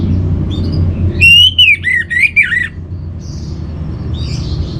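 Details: Master song of an orange-headed thrush for home-kept birds: a single loud burst of twisting, slurred whistles, quickly rising and dropping, followed by faint high twitters over a low background drone.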